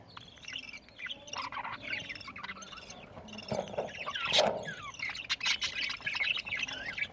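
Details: Budgerigars feeding, chirping as they eat: a busy chatter of short warbled and scratchy notes from several birds, with a louder burst midway and steady background noise.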